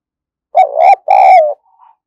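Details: Energetic spotted dove decoy, kept to provoke wild doves, gives a loud, harsh double coo, short then long and falling, followed by a faint, soft trailing note.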